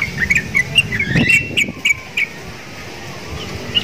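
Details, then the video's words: Caged sooty-headed bulbul, singing actively and said to sound like the Javan mynas it is kept beside, gives short sharp chirps near the same pitch, spaced irregularly over about two seconds, then quieter, over low background rumble. "TRUCUKAN GACOR !!! MENTALNYA SEPERTI JALAK KEBO"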